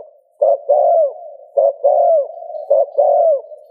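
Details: Soft 'gù' cooing of a spotted dove, meant to prompt another dove to coo. Three paired phrases, each a brief clipped note then a drawn-out falling coo, spaced just over a second apart over a faint steady drone.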